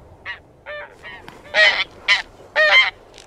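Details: Taiga bean goose (Anser fabalis) giving a few scattered honks: brief, hoarse, nasal notes, some in quick pairs, with short quiet gaps between them.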